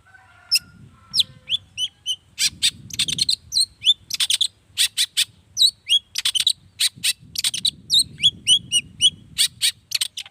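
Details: Long-tailed shrike singing a lure song meant to provoke other shrikes to answer. The song is a dense, varied run of sharp chirps, buzzy notes and short whistled slurs, delivered in rapid bursts. A faint low rumble sits underneath.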